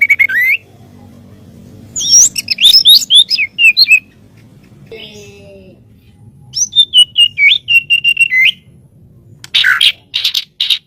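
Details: White-rumped shama singing as master audio for training birds: three bursts of bright, looping whistled notes separated by quiet gaps, a short low nasal note midway, and harsh raspy chatter at the end over a soft background rumble.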